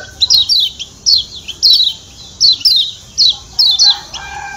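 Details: Lombok white-eye (kecial kuning) giving its 'ciak ciak' call as sharp high descending chirps in pairs, roughly every half second to second. A soft lower tone appears at the close.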